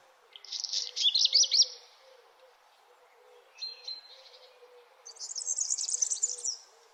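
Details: Birds at sunrise: a buzzy, high trilled phrase, a short pause, a brief whistled double note, then a fast, very high twittering phrase, with a soft low murmur throughout.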